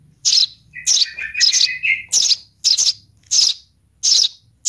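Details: Baby sparrow calling for its mother with harsh, high chirps about every half second, with a brief thin whistled trill partway through.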